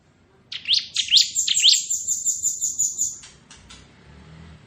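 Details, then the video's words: Ciblek kristal, the bar-winged prinia, in ngebren song: three sharp rising chirps run into a long, high, buzzing trill, then it falls quiet. "Suara Burung Ciblek Ngebren"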